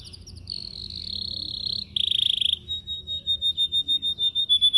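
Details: Caged canary in training song: a long buzzy trill held steady, a harsher rattling burst, then a quick series of clean repeated whistled notes at one pitch.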